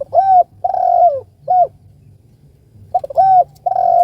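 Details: Spotted dove calling to its companion, giving low hooting coos in phrases of a short note, a long wavering coo and a short note, two phrases separated by a pause of over a second; faint low hum beneath.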